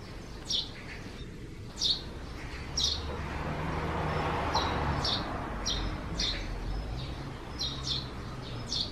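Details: Under the eaves on a cloudy June 2020 morning, a Eurasian tree sparrow leaving its nest calls with single short, piercing chirps about once a second, evenly spaced, over a steady low rumble.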